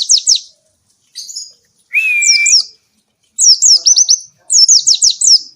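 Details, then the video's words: Oriental white-eye in lively song used to provoke and train lazy birds into singing: high, quick slurred whistles and twittering trills in short bursts, with one steady lower whistled note, over a clean background. "burung pleci gacor!!! efektif untuk pancingan dan masteran pleci yang malas bunyi"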